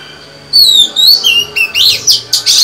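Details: Female white-rumped shama singing to stimulate males: a long descending whistle, then rising slurred notes and rapid harsh, buzzy chirps in quick succession.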